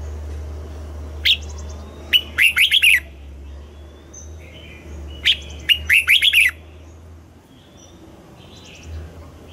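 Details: A red-whiskered bulbul sings in the morning during training for double-note, old wild-bird style song: two matching phrases about four seconds apart, each a sharp note followed by a quick, rich warbled cluster.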